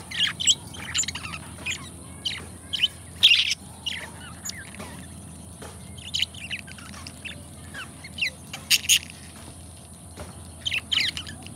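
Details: Two pet budgerigars, described as best friends, chatter continuously. Rapid, scratchy chirps and twittering bursts come in uneven clusters, with a few louder squeaks standing out.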